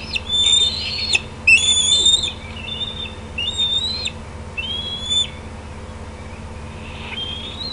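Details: Decorah bald eagle nest on a June evening, 2016, as a parent lands on the outer branch and the juveniles gather: loud piercing whistles, drawn out and slurred, several in quick succession, then fading, with a sharp click early on.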